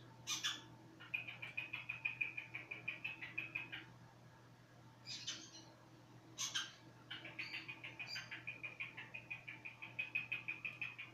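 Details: Cockatiel whistling: long runs of short, high chirps at a quick, even pace, interrupted by a few sharp, rasping squawks, over a low constant hum.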